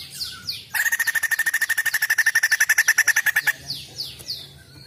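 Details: Singing female white-crested laughingthrush gives a loud, fast rattling chatter of rhythmic pulsed notes for nearly three seconds, framed by thin high squeaky calls before and after.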